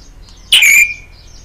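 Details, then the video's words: Talking macaw, possibly speaking Telugu, gives one loud, harsh, rasping utterance lasting about a third of a second, trailing off into a thin high tone; otherwise quiet. "macaw bird talking"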